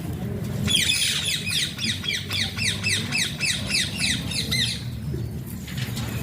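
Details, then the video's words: Alexandrine parakeet (pahaadi tota) giving a fast train of harsh, hoarse squawks, about three to four per second for roughly four seconds, then falling quiet over a low, constant background rumble. "Alexander pahaadi tota funny talking sounds"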